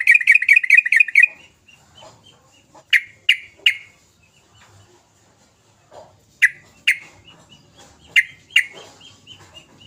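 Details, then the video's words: A yellow-vented bulbul (trucukan) sings vigorously as a lure to set off quiet bulbuls, opening with a quick run of six bubbly notes, then sharp paired chirps every few seconds with soft chatter between. "Kicau trucukan gacor"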